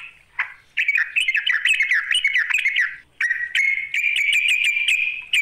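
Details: Sooty-headed bulbul luring a rival: a single sharp note, a wavering chattering phrase of about two seconds, then a long steady pulsed buzzy phrase.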